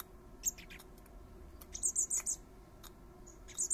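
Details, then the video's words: In a garden, a blackbird father feeds his three fledglings; their thin high squeaks come in a short run of five, preceded by soft ticks and followed by another shrill burst at the end. "Blackbird dad feeding his babies"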